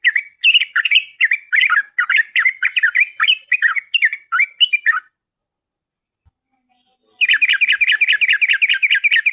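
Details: Yellow-vented bulbul song for luring birds: about five seconds of quick, bouncy chirped phrases, a two-second silence, then a fresh burst of rapid, rolling chatter.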